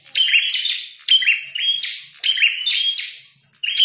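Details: Red-headed prinia singing while fighting: loud repeated phrases of a clear high whistled note ending in buzzy, rasping chatter, roughly one phrase per second, with short gaps between bursts.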